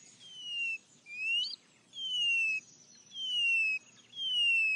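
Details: White-bellied seedeater song: long, pure whistled notes that slide gently downward, with one rising note, each lasting over half a second and separated by short pauses, against a quiet background.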